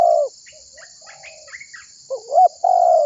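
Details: Spotted dove used as a decoy to call other birds: a falling coo, then a pause filled with soft high chirps from other birds, followed by a rising double note and a long level coo, under a constant hiss.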